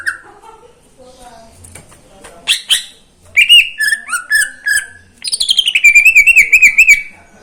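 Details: Caged greater green leafbird singing in the morning: soft scattered notes build into loud chirps and downslurred whistles, ending in a fast, wavering warbled trill.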